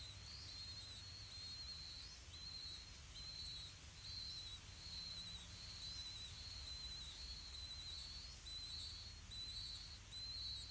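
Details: Blue-winged pitta at the nest while the parents bring earthworms to feed their chicks: thin, high whistled notes come about once a second, each a short level or slightly rising note, faint over a low background rumble.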